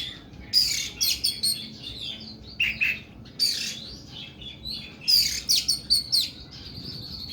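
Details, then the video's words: Harsh, long 'nembak' song of an oriental magpie-robin (kacer): grating high bursts in clusters, a short lower whistle, then more rasping, rapid notes. "KACER KUKU BIMA NEMBAK PANJANG & KASAR"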